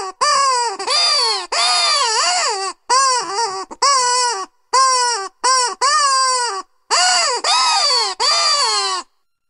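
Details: Black-headed gull giving loud, strident screeching calls, each arching up and down in pitch, delivered in a rapid series of long harsh notes with brief gaps.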